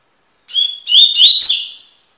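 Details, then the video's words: Tui tui style song of a Double-collared seedeater (Sporophila caerulescens), a tutoring recording: a single phrase opening with a steady high whistle, then rising slurred notes ending in a buzzy, fading flourish. "coleiro tui tui cantando (encarte)"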